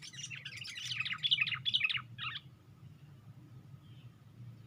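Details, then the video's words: Sooty-headed bulbul raising its wings on a branch, in a lure recording: about two seconds of harsh, scratchy, fast chattering notes ending in a few louder rasping chirps, followed by quiet background hum. "Pikat Burung Kutilang"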